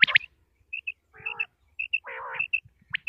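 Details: Common quail from Pakistan's Punjab: a sharp, high, clipped note pair, then two bursts of low nasal buzzy notes, with short piping dots scattered between. Quiet background.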